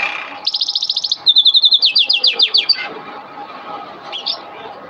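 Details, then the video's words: Training song for canaries, masteran kenari: a crisp rapid trill of evenly spaced high notes, then a slower run of bright clipped notes and descending slurs, ending in quieter scattered chirps. "Masteran kenari burung | Canary training song"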